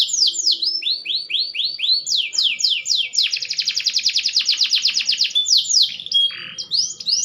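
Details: Maturing green canary sings a fast varied song, opening with rising whistled sweeps, then a long rapid buzzy trill of repeated notes, ending with more sweeping whistles.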